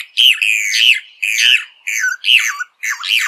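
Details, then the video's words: Rufous hornero giving harsh, squawking notes in short bursts, each rising then dropping, about five or six in three seconds. "Hornero Canto - Rufous Hornero Bird Song"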